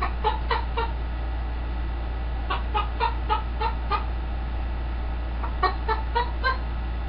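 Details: Pet green-winged macaw clucking like a chicken: short, clipped cluck notes repeated several times per second in three runs, with brief pauses between runs, over a low indoor hum.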